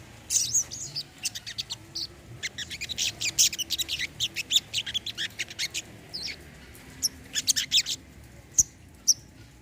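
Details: Olive-backed sunbird, kept as a caged bird, delivering a long rapid series of high thin chips and twitters, dense in the middle and thinning toward the end.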